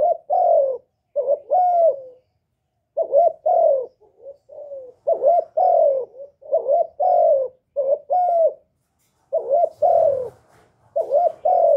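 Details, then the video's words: Decoy spotted dove calling and cooing to make newly kept doves start calling, recorded without background noise: a long, nearly continuous run of paired coos, short note then longer falling note, broken by a few soft, quiet notes and brief pauses. "Tiếng Chim Cu Gáy Hạp Bổi Gáy Gọi + Thúc+Gù kích bổi mau nổi"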